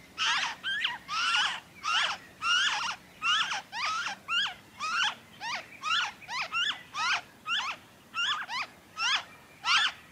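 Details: Noisy friarbird, Victoria, Australia, February 2023: loud, rapid series of raucous, cackling, downward-slurred notes, around seventeen in ten seconds, some in quick pairs, strong and close with little background.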